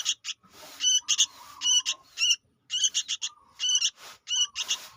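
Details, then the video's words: Sooty-headed bulbul youngster, a recording meant as a lure, uttering rough, raspy bursts in quick pairs and triplets, with a steady, low, whistled tone between groups and faint background noise. "suara anak burung kutilang gacor untuk pikat"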